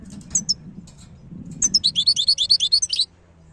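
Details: Wild European goldfinch from Algeria giving a couple of thin high notes, then a long, even series of rolling twittered notes repeated quickly for about a second and a half.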